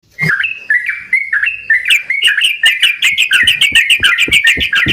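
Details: Yellow-vented bulbuls singing energetically and answering each other: bubbly, warbling phrases of short rising and falling notes, quickening into a dense, rapid chatter of overlapping voices toward the end.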